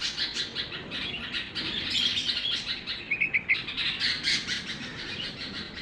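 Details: Baby red-vented bulbul giving rapid, scratchy high chirps in quick irregular bursts, with a few clearer short notes near the end.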